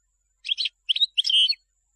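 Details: Song of a European goldfinch, chosen for tutoring chicks: three bursts of liquid twittering, the last ending in a drawn-out buzzy high note, with silence between phrases.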